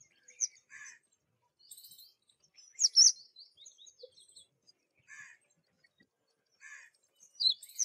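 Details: Black drongo in spring: scattered short high chirps and squeaky whistled notes with quiet gaps between, a louder burst of sharp notes near the third second and another at the end, in otherwise silent surroundings.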